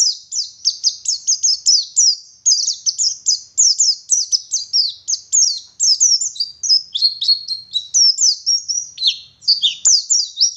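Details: Local West Java Oriental white-eye from Garut singing energetically: a continuous run of very high, fast descending chirps in dense repeated strings, later shifting to lower sliding whistles and trills.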